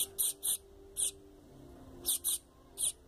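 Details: Double-collared seedeater chick begging, played to stimulate an adult: short, very high hissing bursts given singly and in pairs and threes, with quiet gaps, over low background hum.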